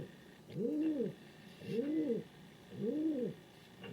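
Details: Low, arched coos from a king pigeon, three full hoots evenly spaced about 1.2 seconds apart plus the start of a fourth, over a quiet room-like hum.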